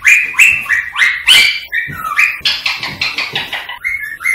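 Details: Indian ringneck parakeet song of whistles, chatter and clicking, meant to prompt singing and mating: bright stepped whistles sliding up and down in quick succession, then a steady run of sharp chirped clicks about once a second, ending on two level whistles.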